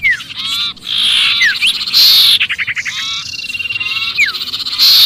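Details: Trapped-sounding sirpu distress call used to attract other birds: grating harmonic chatter, a fast rattling burst, and a few steep falling squeals, loud throughout.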